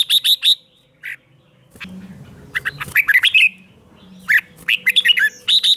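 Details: Red-whiskered bulbul trained to sing in the morning, repeatedly giving bright, warbling phrases of quick slurred whistles and sharp chirps in bursts, separated by short pauses, with a low hum in the background.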